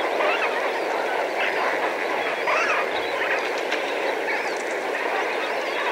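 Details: Several thousand Lesser Flamingos calling together at medium distance: a dense, continuous honking and gabbling chorus, with many overlapping nasal notes forming a steady roar without pauses.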